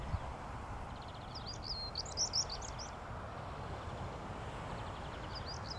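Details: European stonechat (Saxicola rubicola) singing at Hengistbury Head on 21 March 2019: a short, scratchy, high-pitched warbled phrase, then a brief fragment a few seconds later, over a steady roar of wind or distant traffic.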